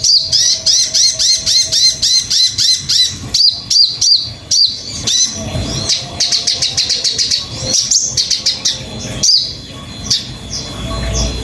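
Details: Sogon song from a master recording used to train cagebirds to sing: rapid series of high, sharp chirps with downward-curving notes, repeated in quick bursts and then a busier twittering stretch, over a faint low background rumble.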